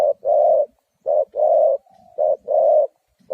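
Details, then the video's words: Spotted dove serving as a trapping decoy utters three rounds of a brief coo then a drawn, hoarse second note, with a faint thin whistle between the rounds. "Suara Tekukur Pikat"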